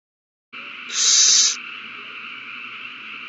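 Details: One owl finds a mouse and passes it to another at their nest, setting off a frenzy, March 21, 2020. After brief silence, a single harsh half-second screech rises over a steady hum.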